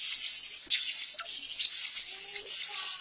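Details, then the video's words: Blue-crowned hanging parrot from Sabah, Borneo, producing a continuous high, thin, sizzling chatter with small shrill accents throughout. "serindit sabah"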